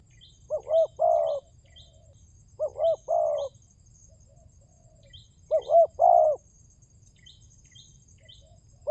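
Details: Spotted dove calling as a lure, pancingan tekukur, to rouse quiet birds: three spaced phrases of a quick two-note coo and a long croon, while small birds chirp thinly and high in the background.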